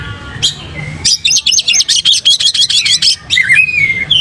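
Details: Kacer (Oriental magpie-robin) singing gacor with tail spread, used for pancing: a single sharp note, then a fast even trill of about twenty high notes, closing with wavering whistles over faint hum.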